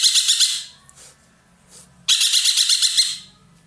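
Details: A captive roller from Indonesia, kept by songbird keepers for its loud voice, calls in two loud, grating, pulsed bursts, each about a second long. Soft rustles are audible between them.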